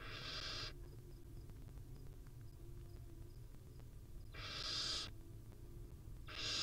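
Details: Barn owl mother with her chicks in a wild nest: one long breathy screech, then a quiet gap of nearly four seconds before two more harsh hissing screeches, over a constant low hum.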